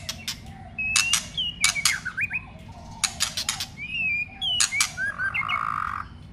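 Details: White-rumped shama in contest song training gives quick upslurred and downslurred whistles between loud clicks that come in clusters, with a short buzzy rattle near the end.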